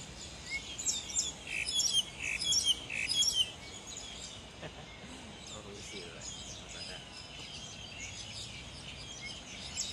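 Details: Black-collared starling singing while feeding: a burst of bright, chattery high notes with sharp whistled accents, repeated in quick phrases for about three seconds, then quieter scattered twitters over a steady background hiss.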